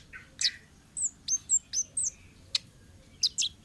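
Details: Wild forest orange-headed thrush singing a varied phrase of short, high, thin whistles and sharp clicks, some notes sliding downward, with brief pauses between bursts and no other clear sounds.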